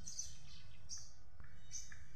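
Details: Birds chirping outdoors on a sunny morning during laundry, a sound described as relaxing; short high thin chirps repeated about every 0.8 seconds over a low background rumble.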